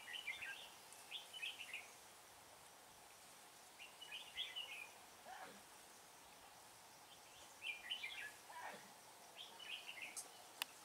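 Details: Red-whiskered bulbul decoy at a bird trap, 18 February 2017, luring wild birds: short chirpy warbled phrases, each about half a second, in bursts every one to two seconds over a quiet hissing background.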